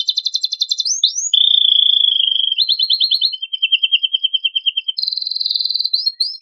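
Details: Canary with a richly varied song, used to provoke other birds into singing: high trills, a long level whistled note, rapid buzzy rattles and upward-sweeping notes in changing phrases, clean background.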